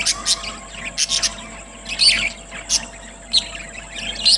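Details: Budgerigars at eating time, giving happy sounds: scattered high chirps, squeaks and warbling twitters from several birds, irregular and overlapping, over a steady background hum.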